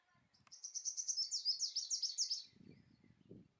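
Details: Male purple sunbird singing for a mate: a rapid, high, thin trill of about fourteen sharp repeated notes lasting two seconds, followed by low rustling background noise.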